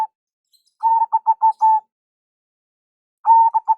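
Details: Loud lure call of a local zebra dove: a quick cluster of short, mellow coos ending in a longer held note, silence, then a fresh burst of rapid coos.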